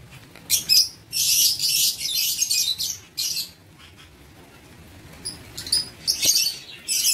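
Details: Lovebirds in an aviary cage, recorded 19 September 2023: bursts of harsh, high chattering screeches in clusters, separated by brief quiet gaps.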